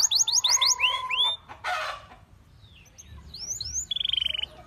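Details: Canary song, calling other canaries to sing: a quick run of high chirped notes and upswept whistles, broken by a short noisy rasp, then faint soft notes and a brief buzzy trill at the end.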